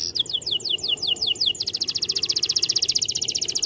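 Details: Singing male canary used to coax young canaries into song: a series of clear descending whistled notes, then a rapid, even, buzzy trill repeated many times per second, over a low background hum.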